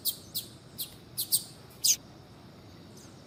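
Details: Calling female double-collared seedeater meant to stimulate a male to sing: six sparse, sharp, high chirps spaced under half a second apart, the last one strongest, then quiet hiss.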